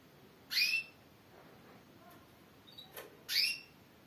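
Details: Female Timbrado canary calling: two short, bright notes sweeping downward, about three seconds apart, with a faint click between them in otherwise quiet surroundings.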